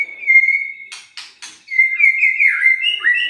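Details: Shama song aimed at prodding quiet, listless birds to sing: a clear steady whistle held high, then three dry clicking bursts, followed by a wavering warbled whistle with quick slurred ornaments.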